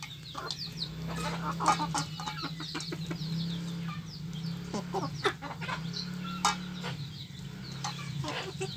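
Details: Free-range village chickens in a noisy flock, competing for food, give a dense stream of overlapping short clucks and squawks over a steady low hum.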